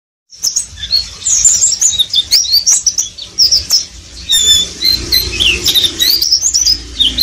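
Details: Oriental white-eye singing in the continuous rapid twittering style called ngeriwik: quick high chirps, short slurred whistles and buzzy trills run together with hardly a pause, plus a faint low hum underneath.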